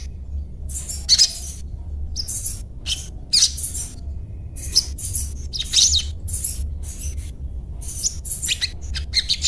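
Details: Little spiderhunter, a kept bird in daily chattering, giving sharp, high 'cuet cuet' chips and squeaky notes in short uneven bursts with brief pauses, over a low steady hum.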